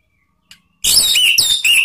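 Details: Orange-headed thrush song in the ngeplong and ngeriwik styles, used as a lure to draw out cage birds: after a faint tick, a loud one-second burst of rich, high, rapidly changing whistled and chattering notes.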